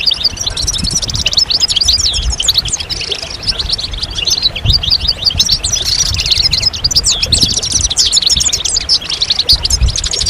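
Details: European goldfinches in a stimulating group chatter of mating calls. Fast, high, tinkling notes and rippling trills run nonstop, swelling around the middle, with soft low noise below.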